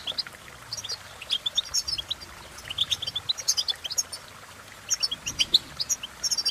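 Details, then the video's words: Goldfinch singing a fast, liquid twitter of high chirps and trills in several clustered bursts, with quiet gaps and a faint low background hum. "impress The Goldfinch With Bird Melodies"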